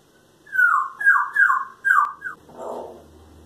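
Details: Pet parrot mimicking human noises, coughing and farting: five loud squawky notes, each sliding downward, in quick succession, then a softer breathy rasp.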